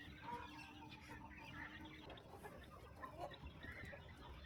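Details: Flock of chickens at morning feeding on a small countryside farm; soft overlapping clucks and murmurs with a low steady hum underneath and a few clicks.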